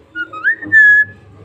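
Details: Pet parrot copying speech: a brief high note, a rising glide, then a sustained loud flat whistled syllable, with a soft background hum.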